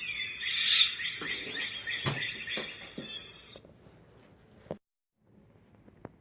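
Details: A juvenile Great Horned Owl gives a long, harsh, hissing screech, described as a hunger/distress call, lasting about three and a half seconds, then falls quiet, with a few sharp clicks around it.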